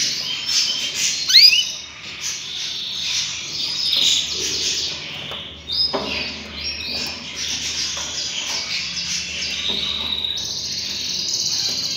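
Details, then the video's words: Canary chicks begging while the father feeds them: a continuous high, hissing chorus of rapid wheezy chirps, swelling and breaking into short bursts with a few sharper squeaks throughout. "father Canary feeding his chicks"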